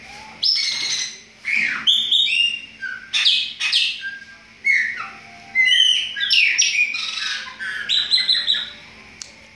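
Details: A chorus of chopi blackbird song, with bursts of varied whistled and harsher notes. Some notes rise, most fall. Brief silences separate the groups of notes.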